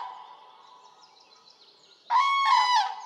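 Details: Common crane recorded in Poland: a faint distant trumpeting at first, then a sudden loud, resonant bugle of two rolling notes close by, full of bright overtones.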